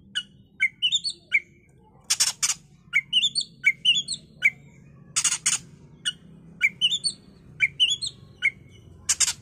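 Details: An Oriental magpie-robin, recorded as a lure to make other magpie-robins agitated and sing, gives quick, high whistled phrases that rise and fall about every second, broken by three loud, harsh rasping bursts.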